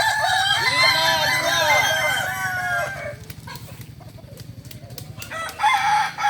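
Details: Kokok Balenggek roosters at a practice contest in Ampang Kualo, Kota Solok, giving overlapping long, multi-note crows with rising and falling arched syllables for about three seconds, then quieter crowing amid background noise and a low hum.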